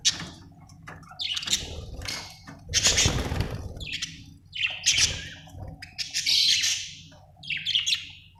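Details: Budgerigar giving scattered high chirps and short harsh squawks separated by brief pauses, over a low background hum and some rustling.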